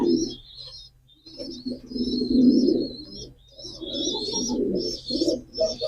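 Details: Pigeon cooing in uneven bursts of deep rolling notes, accompanied by busy high chirps and twitters from other birds.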